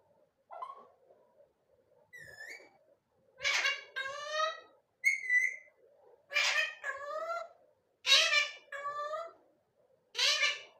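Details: Parrot chattering continuously: soft rising whistles at first, then loud speech-like voiced phrases with falling tones, repeated every second or two, separated by brief silences.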